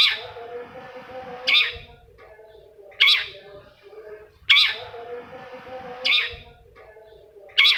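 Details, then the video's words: Long-tailed shrike sound meant to get non-singing shrikes to sing again: harsh, scratchy single notes repeated regularly about every one and a half seconds, with a low hum and faint rumble between them. "SUARA CENDET INI BISA MERANGSANG CENDET MACET JADI RAJIN BUNYI PAGI SIANG MALAM"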